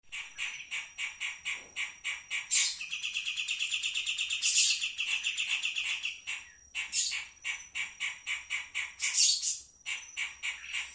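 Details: Pied triller singing in the wild: rapid, steady runs of short chirps, about four each second, broken by longer trilled buzzy phrases, over a constant high thin tone.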